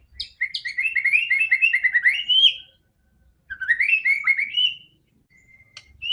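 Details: Song of a white-rumped shama, used to coax a silent bird into singing: a fast run of bright chirping whistles climbing toward the end, then a shorter rising warbled phrase after a pause.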